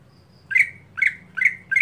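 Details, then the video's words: Four harsh, buzzy squawks from a greater green leafbird in plain, repetitive daily form, one roughly every 0.4 seconds, each starting with a rough burst and tailing off evenly. "Cucak Hijau Harian Monoton Bisakah Keluar Isian Saat Lomba"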